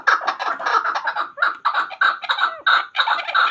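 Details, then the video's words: Chakor, the chukar partridge, kept as a hunting bird, calling in bursts of harsh clucking notes, then clear separate chuck phrases spaced about every half second. "Chakor Ki Awaz. Hunter Chakor sound."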